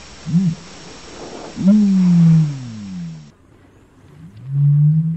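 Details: Common ostrich (Struthio camelus) giving deep, hollow booming notes: a short grunt, then a long, slowly falling moan, and another low drawn-out boom after a pause.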